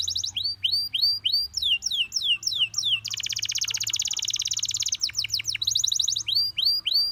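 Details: Gloster canary singing to encourage other canaries to sing: rapid repeated upslurred whistles, then a dense buzzy trill around the third second, followed by more quick rising notes and a brief sharp series, all high and continuous.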